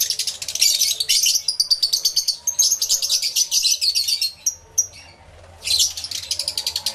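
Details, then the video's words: Numerous lovebirds chattering in an aviary, recorded with two external camera microphones: loud, rapid, buzzy high-pitched chirping in dense overlapping bursts, a short lull, then the shrill chatter resumes. "1 Hour Lovebird Sounds Aviary Series V1"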